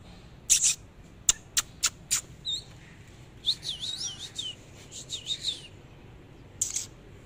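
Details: Oriental magpie-robin singing while displaying: several scattered sharp clicks, then a soft whistled warble of looping notes, repeated in two short bursts, with a final harsh note.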